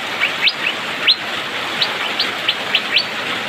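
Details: Asian fairy-bluebird singing in the rainy season, described as singing busily at a fast, dense pace: short bright chirps sweeping sharply upward, about eight notes in three and a half seconds, over a steady hiss of rain.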